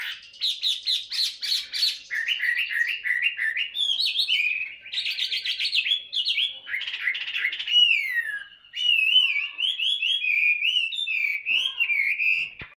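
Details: Tame Chinese hwamei practising its song: a long, varied stream of rapid rich warbles, slurred up-and-down whistles and quick repeated phrases, loud and continuous with a short pause near eight seconds.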